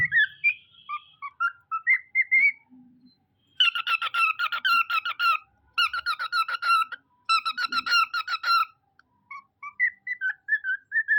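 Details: A pet cockatiel, said to sing well and say its own name, sings clear whistled notes, then bursts of rapid, harsh, rattling chatter before returning to whistles.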